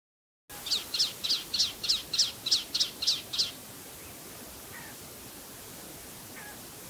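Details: A male Palestine sunbird at Tanomah, Asir region, Saudi Arabia gives a fast series of about ten high, sharp notes, roughly three per second, then two faint softer notes.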